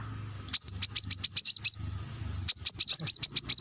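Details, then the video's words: Plain-throated sunbird in lively gacor song, played as a lure to get leafbirds singing. Two bursts of rapid, sharp, high chirps, about a dozen notes each, with a brief pause between the bursts. "kolibri kelapa | manggar | wiceh | masteran untuk burung ijoan agar cepat bunyi gacor"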